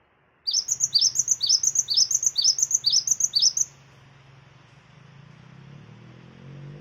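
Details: Lure recording of a cinereous tit singing to trigger other birds: seven bright whistled phrases, each a high note sliding down into a lower one, repeated evenly about twice per second, followed by a faint low hum.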